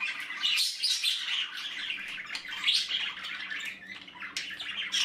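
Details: Budgerigar chicks in the nest chatter with scratchy, hoarse squeaks in overlapping waves, loudest near the start and middle, over a soft constant indoor hum.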